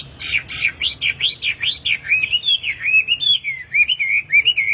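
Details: A tame, actively singing wambi, recorded as a tutor song for caged birds: a few sharp high chips, then a steady stream of swooping whistled notes that rise and fall in quick succession.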